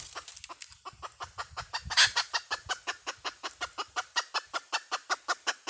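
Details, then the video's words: Hen calling with a long unbroken stream of rapid, rasping clucks, close to three per second, over a low rumbling background, with one louder accented note early on. "Suab poj qaib Dib tsauj tuaj"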